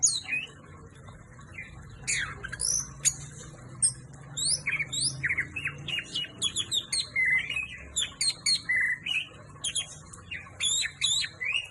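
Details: Orange-headed thrush (anis merah) in full, fiery song: a long run of rapid, varied chirps, swoops and buzzy notes packed closely together, steady low hum behind.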